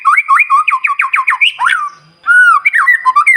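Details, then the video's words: White-rumped shama in lively morning song meant to trigger other birds to answer: quick series of repeated rising whistled notes, a short gap, then a clear drawn-out whistle and falling slurs. "Pancingan Murai Batu Paling Ampuh Bikin Burung Lain Meledak Bunyi"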